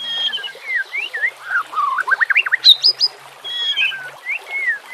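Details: White-rumped shama in song, meant as a lure and for training birds that stay silent, over a soft background of flowing water: looping whistled phrases, a rapid run of rising notes, and high, bright upslurred whistles.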